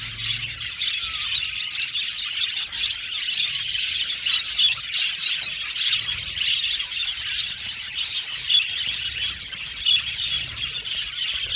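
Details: A budgie colony in an aviary keeps up nonstop high-pitched chirping and warbling chatter, many birds overlapping, with a few sharper squeaks standing out near the end.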